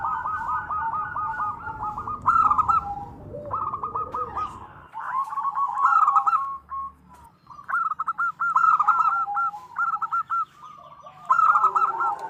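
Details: Local female zebra dove calling for the male; repeated strings of rapid staccato coos rising and falling, some pauses between runs, rumbling background noise in the first seconds then quieter.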